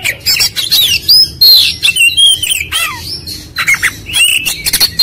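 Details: Oriental magpie-robin singing as a fast-response lure for ngobra: dense, rapid series of high whistles, trills and downward-swooping notes, nearly continuous and loud throughout.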